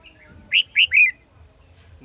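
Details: Decoy red-whiskered bulbul in a trap, 18 December 2020: three loud, bright, down-slurred whistled notes in quick succession after faint opening chirps, over a low background hum.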